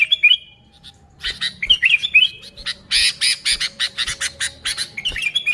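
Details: Sooty-headed bulbul giving natural lure song: short fluty whistled phrases at the start and end, separated by a stretch of harsh, rhythmic scratchy chatter and a few sharp knocks.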